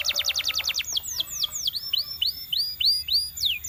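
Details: Belgian canary sings a quick burst of sharp descending chips, then slower, separate, liquid whistled notes that alternately fall and rise, each clearly spaced.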